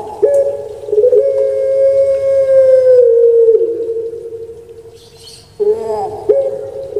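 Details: Kept puter pelung dove, a bird famed in Java, Indonesia, gives long drawn-out droning coos, each held steady for about three seconds and slowly sinking before a short break, then a fresh bright onset.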